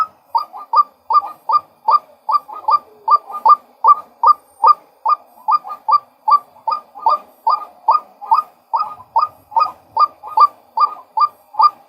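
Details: Male White-breasted waterhen repeating brisk, clipped, upward-kinked notes at a fast steady pace, around two and a half per second, close and clear against silence.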